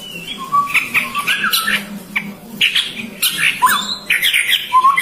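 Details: Chestnut-rumped babbler calls: a clear whistled note, then a busy run of scratchy chirps and trills, and a final rising whistle.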